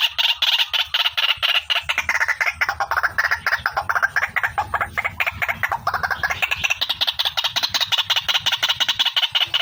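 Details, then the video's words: Rapid, rattling series of harsh notes from a female white-breasted waterhen used as a bird lure, the pulses running almost without pause and rising in pitch toward the end. "SUARA PIKAT BURUNG RUAK-RUAK"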